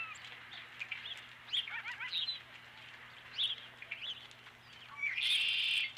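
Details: Osprey calling at the Dunrovin Ranch nest on 12 April 2017 around 5:51 PM as a fish arrives: bursts of sharp, high chirping notes in short series, ending in a louder, harsh, high-pitched squealing call, with low hum behind.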